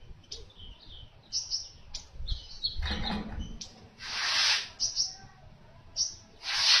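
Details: Baya weaver song played as a training recording for other birds: scattered high chirps and short buzzy notes, then loud broadband wheezing hisses near the middle and at the end.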